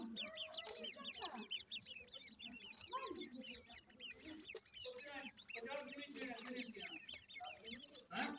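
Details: Grey francolin chicks calling at the nest: many short, rapid chirps and rising peeps overlapping in a busy chorus, with lower clucking notes beneath.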